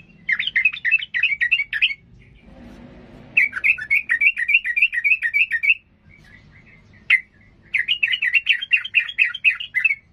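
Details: Agitated sooty-headed bulbul said to provoke opponents to rage and fight: long runs of fast, bouncy, repeated chirping notes, about three or four per second, broken by brief pauses and one sharp single note.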